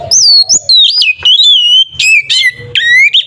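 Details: Oriental magpie-robin fighting song, ngeplong style, used as a lure to provoke other kacer: a continuous run of loud sliding whistles, dropping then rising, broken by sharp clicks and short upward sweeps.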